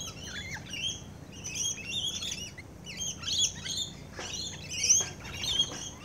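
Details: Rainbow lorikeets feeding close-up give a run of shrill, buzzy screeches and squeals, closely repeated and overlapping, with a couple of sharp clicks.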